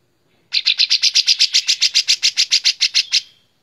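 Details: Song of a white-shouldered triller, recorded as training material for other songbirds: a loud, clear trill of about seventeen bright, high notes in quick, regular succession, stopping abruptly after about three seconds, with a quiet background.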